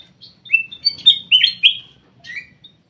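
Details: Black-crested bulbul kept in an aviary singing short, clear whistled phrases: slurred notes rising and falling in a bright burst, then a softer closing phrase, with faint low rumble underneath.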